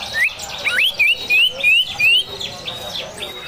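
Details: Harsh besetan song of a greater green leafbird, with trickling water behind: a rapid run of loud whistled notes, some rising steeply, others sliding level, about six strong phrases in under two seconds, then softer chirps.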